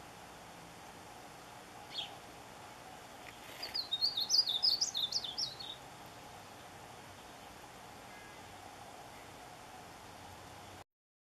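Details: A Painted Bunting (Passerina ciris) calling for a mate gives one quick, high, sweet warbled song phrase of about two seconds, with a faint single note just before, over steady background hiss.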